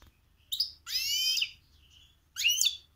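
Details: On a cold day, a goldfinch-canary mule kept with other birds sings bright, high phrases, including canary notes it copied: a quick chirp, a rapid buzzy twittering trill, a thin whistle, then another sharp warbled burst over a faint low hum.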